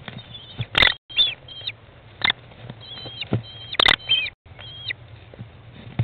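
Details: American kestrel mother feeding 15-day-old chicks inside a nest box, 20 May 2011 at 13:54; thin, wavering high whistled calls come in short runs amid sharp clicks, scuffling thumps and brief knocks.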